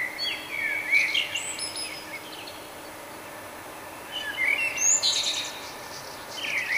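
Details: A common nightingale sings its morning song in Budapest, Hungary, in May 2009: rich, varied phrases of high whistles and chirps in bursts a few seconds apart, over a steady background hiss.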